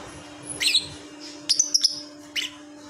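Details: Lovebird calling while sleeping: a short buzzy double chirp, then a quick run of four high, sharp, clipped notes, and one more buzzy chirp near the end; steady low hum beneath.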